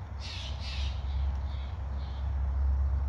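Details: A jay, identified as a blue jay or "camp robber" at a campsite near camping gear, gives two harsh, raspy calls in quick succession, then a couple of fainter ones, over a steady low rumble of wind.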